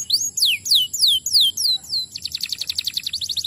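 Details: Canary song played to stimulate other canaries to sing: a run of about seven clear downward-sliding whistles, roughly three each second, then a fast, even trill of short high notes.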